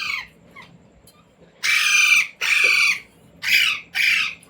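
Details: Talking pet Indian Ringneck parrot, taught words like "roti roti" and "mummy", produces four grating, loud bursts in two pairs after a soft opening chirp, indoors.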